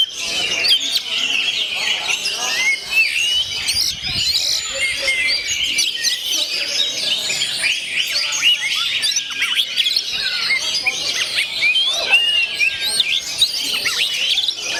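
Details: Oriental magpie-robin, gondo mayit song style, in a long continuous outpouring of bright whistled notes, squeaky chirps and rapid twittering phrases that stay busy and high-pitched throughout.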